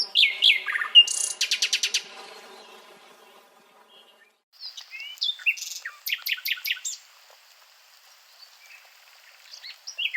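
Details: Nightingale singing varied phrases: slurred whistles and buzzy rattles, a pause, then rapid sharp notes, fast clicking stutters and scattered whistles, with brief quiet gaps between bursts.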